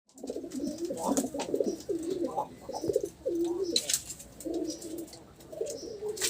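Pigeons cooing in low, throaty, rolling phrases that swell and fade almost without pause, with a few faint clicks and rustles in a small room.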